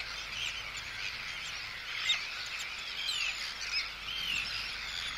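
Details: Arctic terns giving anxiety and threat calls at an intruder near the colony, with chick calls, recorded close up; a continuous mass of high raspy calls with scattered sharper notes roughly once a second.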